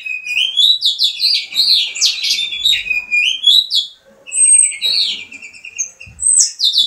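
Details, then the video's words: A pet Mexican house finch described as ready for mating sings a long, rambling warble of quick chirps and slurred notes, high-pitched and lively, with a brief pause midway. "house finch ready for mating"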